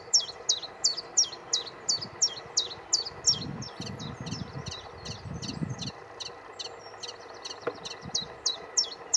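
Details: Common chiffchaff singing on Aylesbeare Common on 16 June 2020: high, clipped notes repeated steadily about three per second in an even chiff-chaff pattern, with low rumbling noise in the middle and a faint background hiss.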